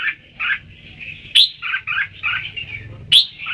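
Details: Red-whiskered bulbul singing short bubbly two-toned notes, warbled phrases rising and falling, with two sharp bright upward flicks; a low hum runs underneath.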